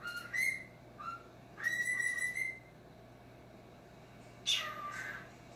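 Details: Pet male cockatiel known for talking, indoors in low light while watching himself on screen: clear whistled notes with strong overtones, a short pair and then a longer held whistle, silence, and finally a harsh descending squawk.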